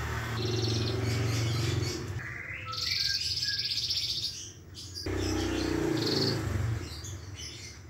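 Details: A canary in moult, its feathers dishevelled, sings on demand: short sweet warbles and chirps come between stretches of heavy low humming background noise, with a brief quiet dip midway.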